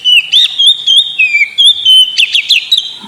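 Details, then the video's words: Kacer (Oriental magpie-robin), a kept bird, in a lure song meant to coax a sulking kacer into singing: clear whistled phrases, some rising and some falling, with quick chirps woven between the steady notes. "Pancingan burung Kacer; yang lagi ngambek bunyi"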